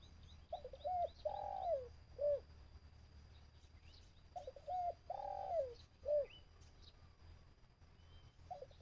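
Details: Caged decoy dove cooing during a bird-trapping session in Thailand, used to lure wild birds: two short coos, a long wavering coo and a clipped final note, repeated after a pause; faint high chirps of small birds over a low rumbling background.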